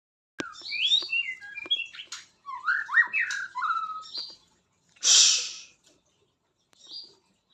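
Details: White-rumped shama singing: varied whistled and chirping notes with rising and falling phrases over three seconds, a loud harsh burst, then a short high note.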